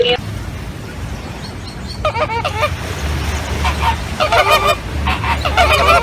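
Flamingos give harsh, goose-like honks in quick overlapping bursts, several birds calling together, over a low rumble of background noise.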